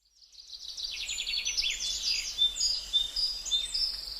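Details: A Gouldian finch (Chloebia gouldiae) sings a very high, thin chatter of rapid buzzy notes and short sharp whistles, with faint background hiss.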